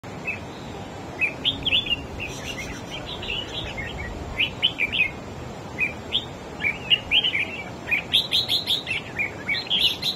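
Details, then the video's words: Red-whiskered bulbul, a newly wild-caught bird, singing in a duel against another bird and overpowering its rival: bright chirpy whistled phrases of quick rising and falling notes, fired in bursts over steady low background noise. "Chim Chào Mào Của A Tủa Hót Đấu Ché Đè Đối Phương Quá Khét."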